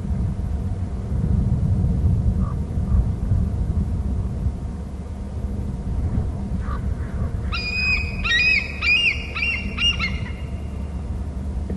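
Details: Bald eagle at its nest and territory on Hornby Island, captured by a nest cam: a loud burst of high, shrill, stuttering chitters, several quick notes in a row, over a constant low rumbling background.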